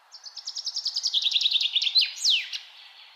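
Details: Bird song outdoors in a peaceful natural setting: a quiet start builds into a fast, even trill of some twenty high notes that drift lower, finished by a loud downward-swooping whistle and a final note.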